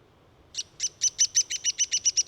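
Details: Downy woodpecker calling: a rapid, even series of about ten sharp, high, squeaky notes, roughly four per second, starting after a half-second of quiet, with faint low background hiss.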